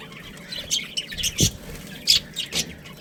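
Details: Budgerigar breeding pair at home: short, high, squeaky chirps come irregularly, with a brief low thump partway through and two louder notes toward the end.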